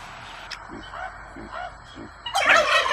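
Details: Farm-raised turkeys near Edmonton, Canada, filmed close up: a few soft low notes, then a loud, rapid, rattling gobble bursts out near the end.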